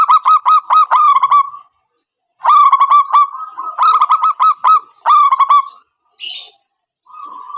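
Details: Zebra dove calling as a trapping lure: rapid series of short, staccato cooing notes in bursts of about a second, separated by short pauses, ending with a soft held note.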